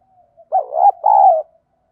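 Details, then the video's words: Spotted dove lure song to incite fighting, 'giọng đồng' style: faint soft lead-in notes, then two loud low hoarse coos, the second longer and gently falling. "cu gáy giọng đồng, cu gay kich boi nhanh noi gù"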